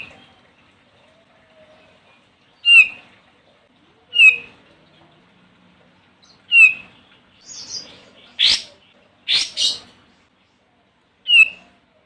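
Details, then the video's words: Olive-winged bulbul calling a rival, used to prompt other birds to sing: clear whistled notes repeated every one to two seconds, broken midway by a cluster of three harsh bursts. "Suara Burung Kapas Tembak Manggil Lawan"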